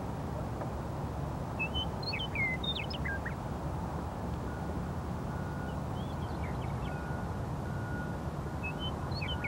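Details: Western Meadowlarks on the prairie of Mt. Sentinel, Missoula, Montana, sing two or three flutelike phrases of slurred whistles tumbling into a gurgling end, over a steady low rumble of wind or distant traffic and construction noise.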